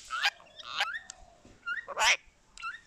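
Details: Talking rose-ringed parakeet mimicking human speech: a run of squawky, voice-like syllables mixed with short rising whistles, with bursts of harsh noise at about two seconds and a quieter murmur between.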